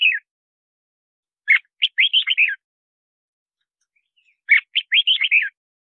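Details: Song of a red-whiskered bulbul, used to lure wild birds and train singers: two lively phrases of five or six quick, bubbling whistled notes about three seconds apart, preceded by a brief trailing note.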